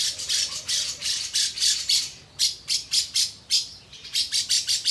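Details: Lovebird singing with the "isian katem" fill, a steady series of high, buzzy chirps repeated about four to five per second in short phrases, separated by brief pauses.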